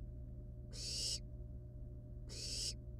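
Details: Two drawn-out, noisy hisses roughly half a second long, about 1.6 seconds apart, from wild barn owl nestlings at the nest with live prey; low hum steady beneath.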